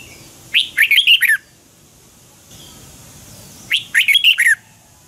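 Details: Red-whiskered bulbul song used for morning training, two loud warbled phrases of quick rich notes about three seconds apart, each phrase a run of five or six rolling whistled syllables.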